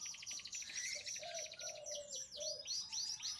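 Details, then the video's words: Lemon-coloured canary singing, offered for birds that have stopped singing: rapid, dense high-pitched rolling trills and repeated chirping notes, shifting into quick sweeping whistles near the end, with a low steady tone running underneath. "kenari af lemon utk yg macet"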